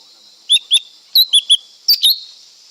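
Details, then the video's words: Lesser green leafbird song in quick bursts: paired downslurred chirps, a trio of clipped whistled notes, then a final rising and falling pair, with a continuous high buzzing hum behind. "เสียงนกเขียวก้านตองเล็ก Lesser Green Leafbird Sound"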